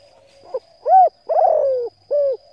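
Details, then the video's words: Spotted dove coo for rousing decoy birds and training new ones to call: a brief soft note, an arched hoot, a long vibrating falling coo and a closing short hoot, clear and deep against quiet background. "Tiếng cu gáy hấp dẫn đủ bài thúc gù gáy gọi kích mồi tập bổi nhanh nổi hiệu quả"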